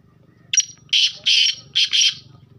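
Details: A Sheedi Lakka black francolin calls with one brief clipped note followed by four harsh, scratchy notes grouped two and two, loud and rhythmic, with only a soft low hum behind.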